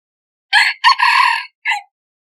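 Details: A single crow from a crossbred decoy junglefowl: a short burst, then a sustained harsh buzzy phrase about half a second long, then a separate brief falling end note. Nothing else is heard.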